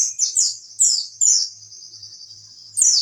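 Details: Oriental white-eye 'wit wit' tutor song for contest birds: quick high descending chirps, then a long steady thin whistle-like trill, ending with a sharp chirp, over a faint low pulsing hum.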